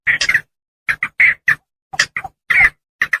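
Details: Javan pond heron lure recording from paddy fields: harsh, raspy squawks in short bursts, clustered in twos and threes with brief gaps, some notes slurring downward, recorded cleanly without background sounds.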